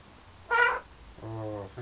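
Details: Parrot kept indoors in London, flirting with its reflection and birds outside: one sharp, bright squawk followed by a lower, steady nasal tone with rich harmonics, then a short clipped note.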